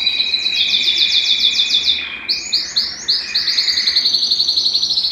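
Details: ['Belgian canary singing to stimulate males and bring females into breeding condition: a rapid high trill over a lower steady tone, then a series of quick, rising, bell-like repeated syllables.']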